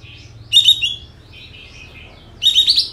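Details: Sooty-headed bulbul lure recording, tail spread, full filler song to provoke shooting-style singing. Two loud, high chattering bursts about two seconds apart, with quiet warbling between them.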